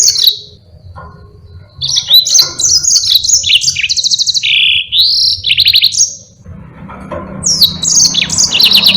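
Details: Long, varied rolling song of a yellow-fronted canary used as a master recording for other birds: a rapid stream of high chirps, quick trills, rising and falling whistles and buzzy notes with hardly a pause.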